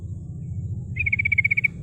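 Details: Rolling ngerol trill of a female sooty-headed bulbul, used to attract rivals: a fast, even run of about ten bright notes lasting under a second, over a steady low mechanical hum.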